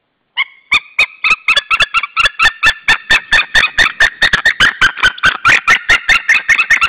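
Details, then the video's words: White-tailed Eagles, a wild pair at the Saunja nest in Estonia, calling toward another eagle on the evening of 26 April 2013, 19:20. After a short silence, a long run of sharp, ringing yelps starts slowly, then speeds up and grows louder. "Saunja Sulev arrived shouting than came Linda, both shouting to another WTE"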